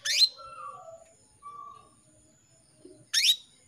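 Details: Female canary calling a male to set him singing: a sharp, rising high chirp opens the recording, faint thin whistled tones follow, and a second loud sweeping chirp comes about three seconds later.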